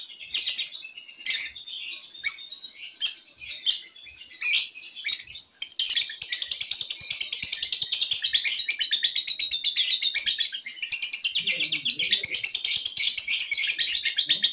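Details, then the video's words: Young lovebird learning to sing, tested on a porch: several separate sharp high chirps, then a sustained ngekek, a fast continuous chattering trill lasting around nine seconds to the end. "LOVEBIRD PAUD NGEKEK"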